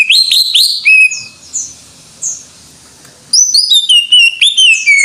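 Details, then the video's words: Greater green leafbird singing vigorously: a burst of clear rising whistles, a quiet gap with faint notes, then another rapid string of high, bright slurred whistles. "Suara Burung Cucak IJO FULL Gacor"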